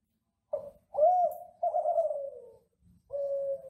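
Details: Classic Kelantan derkuku, the ringneck dove, in a gacor master song for training home doves: a short coo, a swelling rising-falling note, a long downward-drifting coo, then a steady level coo.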